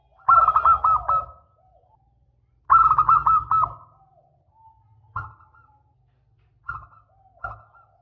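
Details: Zebra dove giving its long song as a lure for other doves: two rich bursts of rolling, bubbling coos about two seconds apart, then three short single coo notes.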